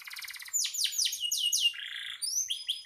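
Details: Canary singing a quick rattle, then loud sweeping downslurred notes, a short buzzy tone and high rising whistles.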